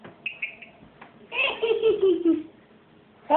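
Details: Pet ringneck parrot laughing indoors: faint high chirps, then a bright, voiced, laugh-like burst of about a second whose tone slides downward, followed by quiet room noise and a sudden loud note at the end.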